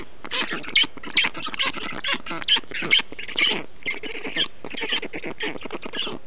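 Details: Black stork nestlings in Estonia, 20 June 2021, during hot weather as a parent cools the nest with water and wet grass; a steady run of rough, wheezy calls about two per second, some louder bursts.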